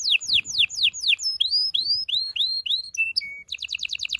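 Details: Canary singing to stimulate and prepare males and females for breeding: a series of steep downslurred whistles, then rising slurred notes, two level whistles and a quick rattling trill at the end.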